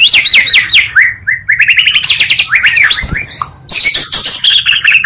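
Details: Oriental magpie-robin song, combining two strong birds' voices, used as a lure to quickly rouse other magpie-robins: rapid high whistled phrases and sliding trills, repeated notes sweeping down, with brief gaps.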